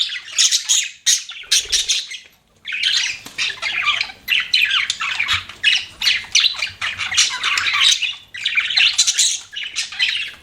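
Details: Budgies kept as pets chattering loudly, harsh squawky chirps repeated in fast rhythmic bursts, one short pause early on.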